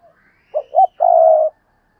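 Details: Spotted dove lure calling, urging and cooing to provoke other doves: two short rising-falling hollow notes, then one long, even, low coo.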